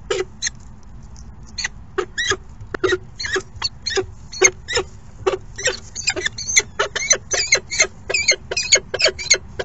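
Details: Falcon chicks begging during the second morning feeding, with a rapid, insistent series of shrill, rasping squeals that speed up into almost continuous calling over a low steady hum.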